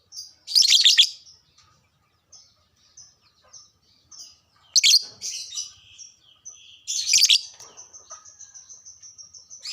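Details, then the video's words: A lovebird kept in a cage, used to stimulate other lovebirds into song, lets out three loud shrill chattering bursts separated by soft high peeps and a thin sustained whistle near the end. "birahi dan emosi langsung naik agar rajin bunyi,, pancingan burung LOVEBRID"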